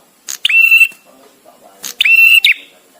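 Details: Male bar-winged prinia in its visiting-male song, spaced with pauses for song training: two loud, even whistled notes about 1.5 seconds apart, each starting with a sharp click, faint low sounds between.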